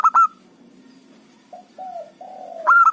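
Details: Local zebra dove used to attract wild birds for trapping: a loud clipped coo pair, a pause, three softer falling notes, then a fresh loud run of rapid coos.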